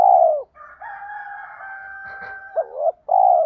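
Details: A spotted dove's 'tiếng thúc' lure call, meant to provoke wild doves. A long falling coo, then a sustained faint tone with a brief scratchy noise, then a curled note and another full descending coo.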